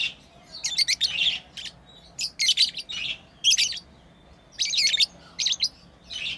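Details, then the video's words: Lovebirds kept as pets, playing and chirping: repeated clusters of sharp, high-pitched twittering notes in bursts roughly every second, separated by brief pauses. "Lovebirds playing & Chirping sounds"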